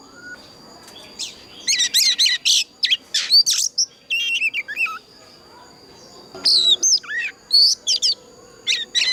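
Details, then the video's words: Oriental magpie-robin with the mature wild-forest voice, singing a combative decoy song used to train and stir other magpie-robins. Bursts of varied whistled and chattering notes, sweeping up and down, come in clusters between short pauses over a steady high whine. "Tiếng choè than già rừng kích hót cực căng"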